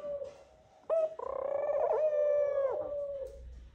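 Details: A single sustained, slightly wavering coo of nearly two seconds from a male Eurasian collared dove calling the female to the nest as the pair courts, preceded by a brief higher note.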